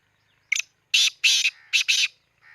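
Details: Black francolin calling in Khushab: loud, harsh, grating notes given in a quick broken phrase of four or five bursts over about two seconds, with a softer buzzy note trailing at the end.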